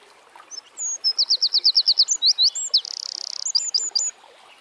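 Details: Eurasian wren (Troglodytes troglodytes) singing in nature: a loud, high strophe of about a dozen rapid, evenly spaced sharp notes, then a fast rattling trill, closing with a few bright chirps. Faint background hiss.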